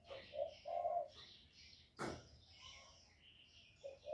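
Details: Lure spotted dove calling to stir up wild doves: low hollow coos, one short note then a longer held one, and a last coo near the end, over chirping of other birds and a sharp knock.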